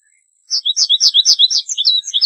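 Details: Loud, lively American goldfinch song: around thirteen clear, high chirps that alternate between a higher and a slightly lower pitch in a steady, bouncing rhythm.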